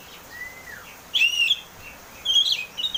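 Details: Oriental magpie-robin 'ngeplong' song played to encourage a caged bird to sing: a soft falling whistle, then two bright, warbled phrases high in pitch, the last trailing into short chips.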